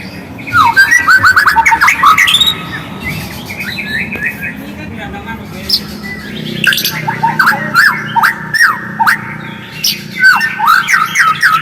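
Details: White-rumped shama in full song as a lure to spur another shama to sing: a loud burst of rapid chattering whistles, a quieter gap, then repeated sharp clicks and looping whistled notes, over a low background hum.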